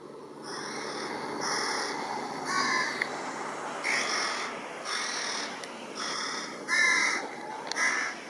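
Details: Hungry carrion crow fledgling begging a parent for food beside a river in Japan, mid-June 2016, while the parent inspects plastic bags; harsh, nasal caws repeated roughly every second, some rising, over steady background hiss.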